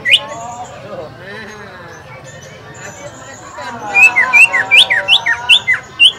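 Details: Green leafbird at a practice singing contest at Lapangan Semparuk, its song meant to spur other birds to sing: after talk and murmuring, a burst of bright, clipped whistles with upslurred and downslurred notes.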